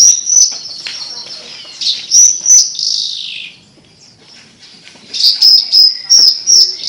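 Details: Javan bush lark in full melodious song: bright, high whistled notes repeated in quick pulses, a buzzy descending slur, nearly a second of quiet, then a fresh run of sharp repeated whistles.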